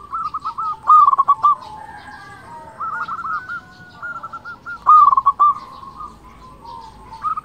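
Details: Local zebra dove in full song, used as a lure to provoke rival doves: phrases of quick pulsed coo notes, each ending in a longer trill, repeated every few seconds over a steady background tone.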